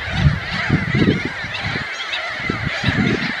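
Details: Low guttural grunts of a glossy ibis, rapid rough bursts with brief pauses, set against a constant busy background of many distant calling birds.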